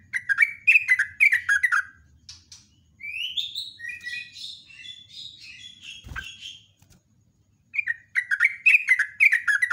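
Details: Yellow-vented bulbul singing in the morning, a long rapid song used as a lure: bursts of bubbly, falling chirped notes repeated about four per second, a more jumbled warbling passage in the middle, one thump, little background noise.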